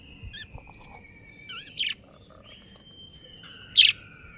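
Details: Breeding pair of budgerigars: a few soft twittering notes, then two sharp buzzy chirps about two seconds apart, over long steady whistled tones in the background.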